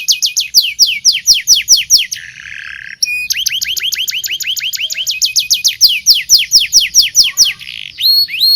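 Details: Continuous local canary song meant for training young canaries: quick rising whistled notes repeated in trills, a short buzzy low roll, then a dense rapid trill and a few slurred whistles.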